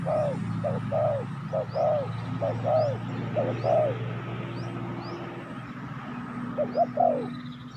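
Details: Calling spotted dove, recorded to lure wild doves: a run of paired short-and-long cooing notes in the first four seconds, then a quieter stretch and one more phrase, over noisy low rumble and scattered thin upslurred whistles.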